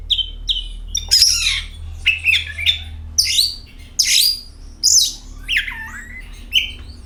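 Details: Oriental magpie-robin song used as a lure to get other magpie-robins singing: clear whistled notes alternating with harsh, scratchy bursts and a few rising and falling slurs, with a steady low hum underneath.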